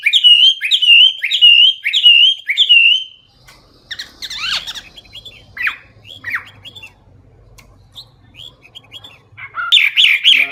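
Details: Hwamei (wambi) in loud, clear 'gacor full isian' song: five matching whistled, downslurred phrases in quick succession, then a quieter stretch of scattered notes over a low hum, and a loud burst of whistling at the end.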